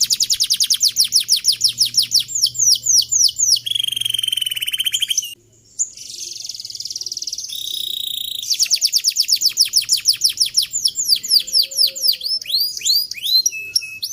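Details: Young-canary training master of canary song: long runs of rapid, high down-slurred notes repeated several times a second, broken by buzzy rolled trills and a brief pause, with a faint low hum beneath.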